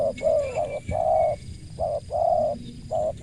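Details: Spotted dove with a crisp voice uttering longer, drawn-out mellow coos of uneven length, spaced irregularly, with a faint thin whistle and a soft knock in the background.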